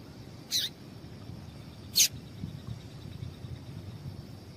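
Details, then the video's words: Two short, high chips about one and a half seconds apart, the female papa-capim seedeater's call for warming up males before song contests, with a faint whine and light background noise. "Piado de Fêmea de Papa capim Para Esquentar papa capim"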